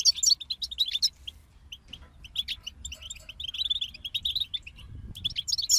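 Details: Goldfinches sing together as a motivating group for songbirds, giving scattered high chirps that build into a fast, jangling twitter, with soft background noise.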